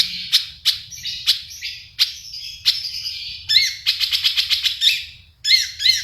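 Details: A Long-tailed shrike sings a lively song full of fills. Sharp, isolated ticks over a scratchy high warble lead into a fast rattling run of buzzy notes, then a short squeaky burst.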